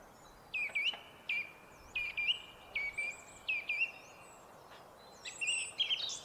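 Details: Song thrush on a foggy day by feeders, singing a phrase repeated several times: a sharp high note dropping into a short steady whistle, about every second and a half, ending in a busier twitter.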